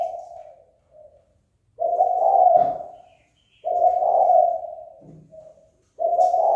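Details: Spotted dove calling to incite a rival to fight; low, husky coo phrases with short soft trailing notes between them, and a few faint taps and rustles in the background.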